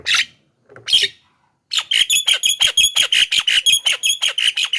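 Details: Javan myna lure song: two separate harsh squawks, then a fast, steady string of about fifteen sharp chattering notes repeated roughly three times a second, loud and clear with no other sounds.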